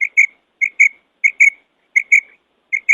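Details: Female quail calling, clear, high, short notes given in quick pairs, each pair repeated about every 0.6 seconds, in a quiet background.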